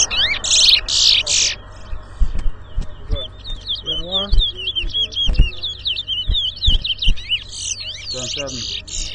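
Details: Whistling competition in Rosehall Town, Guyana, 2022, featuring large-billed seed finch (towa towa): an opening harsh buzz, then long chains of quick high whistled chirps, with men's voices and knocking throughout.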